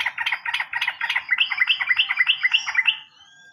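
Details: Sooty-headed bulbul used as a lure to prompt other birds to sing: a fast run of rich, bubbling notes, about three per second, rising slightly into brighter whistled phrases before stopping.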